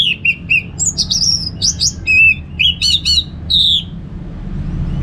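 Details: Relaxed 'ngeplong' song of an orange-headed thrush. An unbroken string of bright, high whistled phrases mixes clear slurs with rattling trills, pausing briefly before a final falling note. A soft low drone sits beneath.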